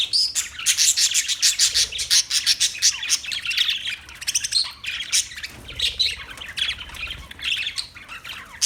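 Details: Continuous shrill parakeet chirping, rapid scratchy notes and squawks tumbling one after another in dense chattering runs with brief pauses, over a faint low hum.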